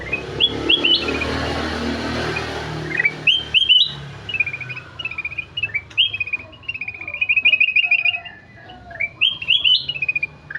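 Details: Kutilang emas, the ruby-throated bulbul, singing energetically. A harsh noisy burst opens the clip, then clear whistled phrases follow, short rising and falling notes strung into rapid rolling runs with brief pauses between bursts.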